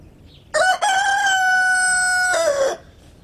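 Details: Backyard chicken, a rooster among hens and chicks walking in a garden, gives one loud crow of about two seconds. It opens with a short broken note, holds a long steady drawn-out tone, then ends with a falling tail. Faint background noise.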